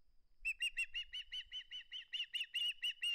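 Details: Osprey on its nest refusing to surrender a flounder, giving a steady fast series of loud, shrill chirps, roughly six per second, with almost no background sound.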